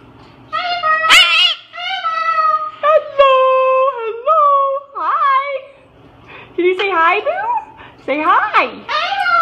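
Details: Indoor pet parrot, reacting to a Moluccan cockatoo nearby, gives a string of cute whistled and squeaky notes, some held level, some wavering, ending in sharp downward-sweeping squeals.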